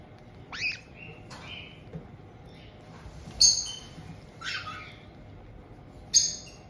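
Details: Captive white-bellied caiques in Tokachi, Hokkaido, Japan, 18 June 2023: a resident pair greeting a two-month-old newcomer. Sharp, piercing, high squeaks and brief harsh notes come irregularly, about every one to two seconds, against a quiet room.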